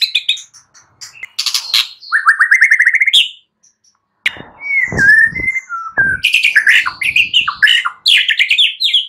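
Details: Caged white-rumped shama morning song for prompting silent birds to respond: rapid chattering trills, a rising whistled run, a pause, then sweeping whistles and busy twittering phrases.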